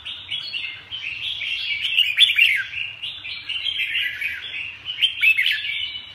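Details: Red-whiskered bulbul singing a dense, unbroken run of chirpy, fluty warbled notes, peaking in louder clustered whistles around the middle, with a soft low hum beneath.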